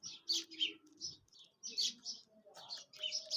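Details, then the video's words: Quail sound used for hunting: sharp, high chirping notes in quick clusters, several bursts every second or so, over a faint low murmur. "Quail Sound"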